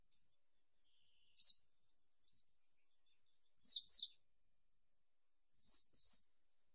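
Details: Western yellow wagtail (Motacilla flava) producing scattered brief high chirps, then pairs of quick slurred, wavering notes. The pairs come in two bursts near the end, in a quiet setting.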